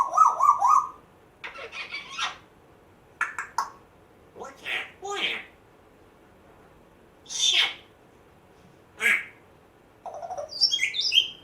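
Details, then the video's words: African grey parrot, rescued a month earlier, strings together weird imitated noises: a warbling whistle, clicks, raspy bursts and short squawks spaced a second or two apart, ending in high squeaky chirps. "Hilarious African Grey parrot talking, funny weird sounds"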